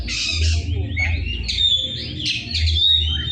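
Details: Oriental magpie-robin singing steadily in a rough-voiced style: varied high whistles, slurred rising and falling notes and harsh burry phrases, with a constant low humming drone underneath.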